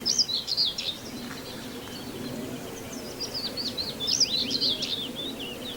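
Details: Common whitethroat singing near Wells-next-the-Sea: a brief scratchy, chattering warble at the start and another after about four seconds, with other birds chirping faintly and a steady outdoor background hiss.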